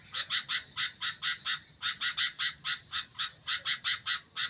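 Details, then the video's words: Loud, rapid series of rasping chips from a sooty-headed bulbul that is starting to sing intensely, the notes running in steady trains of four to six with brief gaps. "BURUNG KUTILANG MULAI GACOR"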